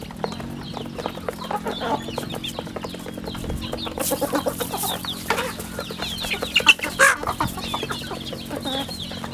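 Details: Farm chicks at a rural home chicken farm giving rapid, irregular high peeps over a constant low hum, with a few louder thumps and noisy bursts midway.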